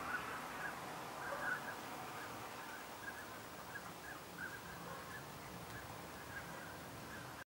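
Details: Seventeen whooper swans wintering at a regulating pond in a residential area of Shiroi, Chiba, Japan, around 10:40 am on 9 March 2014, give soft, overlapping bugling honks about once every second or two over a steady outdoor hiss.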